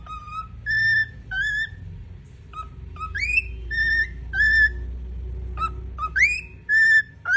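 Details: A female pet cockatiel (Nymphicus hollandicus) whistles Happy Birthday to You while dancing in front of a mirror, in clear, pure, harmonic notes, some held and some sliding upward.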